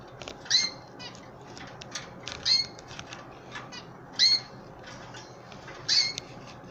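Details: Canaries, old birds and chicks, being hand fed indoors: four sharp high chirps roughly every one and a half to two seconds, with scattered clicks, light tapping and a steady background hiss.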